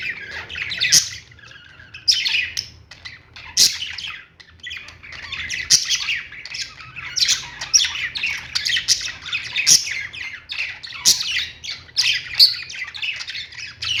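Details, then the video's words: Lovebirds kept in a pet store make a constant clamor of harsh squawks and shrill chirps from many birds at once, with sharp louder calls breaking through every second or two, and a low hum underneath. "love birds sounds"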